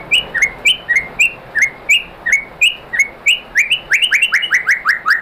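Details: Song of a white-rumped shama meant to make other shamas sing: crisp chirps dropping sharply in pitch, repeated at a steady quick pace, then speeding into a denser overlapping burst.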